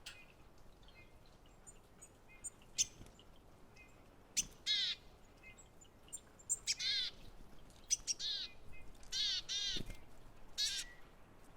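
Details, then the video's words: Willow tit at a feeder, calling quietly with short hoarse buzzy notes in loose pairs and threes over the second half. Soft clicks and taps are heard between them against a quiet background. "Буроголовая гаичка (4K, HQ SOUND)"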